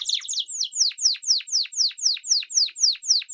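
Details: Belgian canary singing a series of bright descending whistled notes, each sweeping down from high pitch, repeated about four times per second in an even rhythm.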